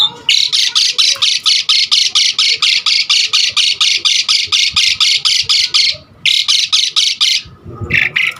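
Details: Asian pied starling in energetic song, used to lure and teach other starlings: a long run of harsh, rasping notes about three per second, a short pause, then more grating bursts.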